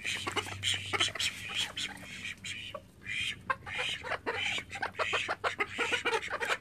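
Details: Call ducks kept at home, part of a flock of thirteen, giving rapid overlapping quacks and clucking calls in irregular bursts, several birds calling at once with a steady low hum behind.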